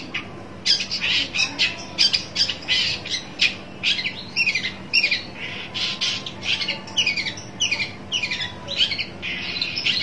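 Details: Harsh, grating squawks and chatter from a long-tailed shrike looking for a rival, delivered in rapid uneven bursts for about ten seconds, with a faint constant hum behind.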